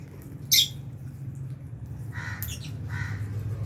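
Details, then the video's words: Lovebirds, albino and Fisher's, eating in an aviary shared with budgies; one sharp piercing squawk stands out, followed later by two shorter rasping calls against a low humming background. "Lovebirds Chirping Sounds"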